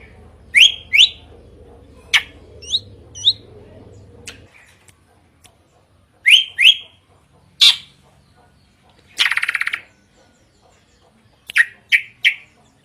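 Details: Drongo singing loudly with a varied song: sharp whistled notes sweeping down from high pitch, clicks, and a harsh rasping burst, given in short separated bursts. A low hum sounds in the background during the first few seconds.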